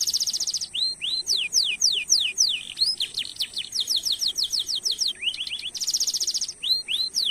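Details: A canary's rolling lure song for prompting other canaries: buzzy trill at the start, then long runs of quick falling whistled notes, another buzzing rattle, and further fast sweeps.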